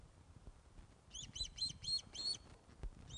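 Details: Osprey at a Loch of the Lowes nest during a fish delivery, afternoon of 21 August 2012, filmed by webcam: five clear, high, down-curving whistles in an even run, followed by the start of another, over faint low background noise.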